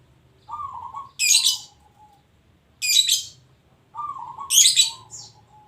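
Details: A local zebra dove gives short, rolling, burry coos, each followed by a harsh high chirping burst, in a pattern that repeats roughly every three seconds.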